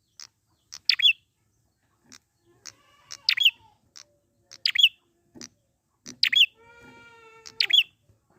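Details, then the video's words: Prinia from the wild, used as a lure to restart singing: loud, high, metallic chirp bursts roughly every 1.4 seconds, with soft ticking notes and a lower, drawn-out harmonic call in the background. "pancingan prenjak gacor alam liar ampuh100% buat bahan/macet bunyi agar cepet gacor lagi"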